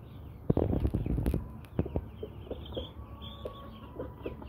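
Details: A flock of Brahma-breed hens and roosters, kept as pets, gives a loud burst of low clucking and rustling, then quieter, regularly spaced clucks with faint higher peeps.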